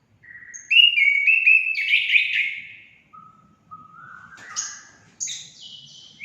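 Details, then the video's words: Orange-headed thrush song used as therapy to prompt pet birds to sing: a rich warbled phrase of mixed whistles, a quieter low note series, then sharp, high, buzzy notes near the end. "Langsung nyaut gacor anis kembang anda"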